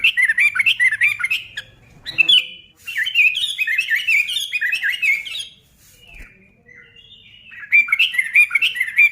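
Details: Sooty-headed bulbul delivering a spirited song that provokes other bulbuls into singing: dense, bubbly chattering phrases, a short lull, then another lively run of rising and falling notes.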